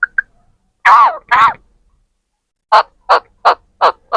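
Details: Several parrots vocalizing, said to be talking: two tiny chirps, then two warbling, speech-like harmonic syllables, a pause, and five harsh, evenly spaced bursts about a third of a second apart. No other sounds.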